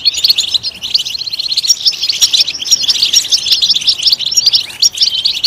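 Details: Continuous high twittering from a European goldfinch, a loud song meant to stimulate goldfinches to chirp, mixing fast chirps, liquid trills and a few buzzy notes.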